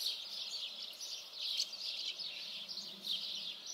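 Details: Common house martins giving a dense, continuous high twittering chatter, short chirps overlapping with louder bursts near the start, middle and end, over a faint hiss of outdoor background.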